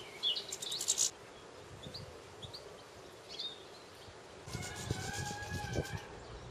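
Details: Common linnet in a garden giving a quick burst of high, dry twittering, then a few scattered chirps, before a stretch of rustling background noise.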